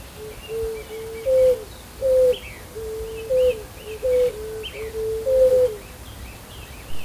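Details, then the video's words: A West Peruvian dove (Zenaida meloda) gives low, hollow hoots, some doubled, about once a second in a steady series, with faint high chirps of other small birds behind. "O canto da Pomba do oeste peruano ( Zenaida meloda )"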